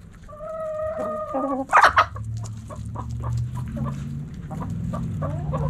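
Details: Backyard chickens: a hen gives a drawn-out, harmonic, level-pitched call lasting over a second, then a loud sharp burst. Softer scattered clucks follow over a steady low rumble.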